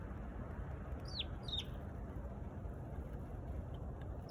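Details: Sparrow giving two short, sharp chirps that slide steeply downward, close together near the middle, over a constant low rumble like passing traffic.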